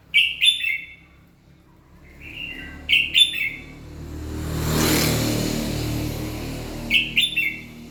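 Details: Red-whiskered bulbul singing in the morning: short, bright warbled phrases repeated every few seconds, with a passing vehicle rumbling through the middle.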